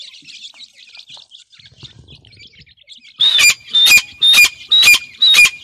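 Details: Grey francolin chicks being fed: faint high twittering at first, then five loud, harsh, high squawks repeated about every half second in a regular series.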